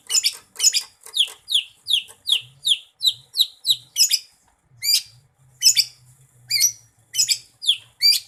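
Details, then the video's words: Jerdon's leafbird (cucak ijo), a kept songbird used in song contests and known for mimicking other species, singing a fast series of sharp, downward-slurred whistled notes, roughly three per second, with brief pauses and a faint low hum beneath. "Gacor,, Kicau Burung Cucak Ijo"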